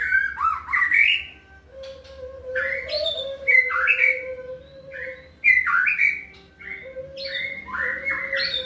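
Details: White-rumped shama singing a full repertoire of mimicked phrases in the macul style: loud, varied whistled notes that rise and fall in quick bursts of two to three per second, over a steady low humming tone.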